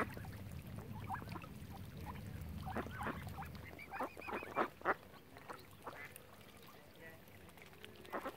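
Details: Around Oxford Island on Lough Neagh, Ireland, ducks give a flurry of grating quacks mid-way, along with a short series of high arched chirps, after a low rumbling background that fades.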